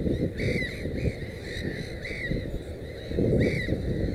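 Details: Black-headed gulls at a nest holding three chicks: short grating, downward-curving cries given in quick succession, some louder bursts near the end, with continuous low-pitched background rumble throughout.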